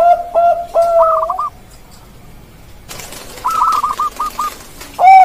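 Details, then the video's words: Zebra dove of the Bangkok type, known locally as perkutut bangkok, singing a series of clear mid-pitched cooing notes that break into quick rolling, stuttered phrases, repeated twice with a short quiet gap between. "suara perkutut bangkok"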